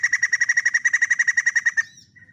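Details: White-crested laughingthrush singing a fast, loud run of identical pulsed notes lasting almost two seconds, ending in a short thin whistle, with faint low background noise.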